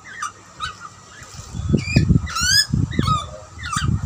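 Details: A young butcherbird, possibly a hungry baby, gives short, nasal, wavering calls about twice a second, with some sliding and rising, over low rumbling background noise.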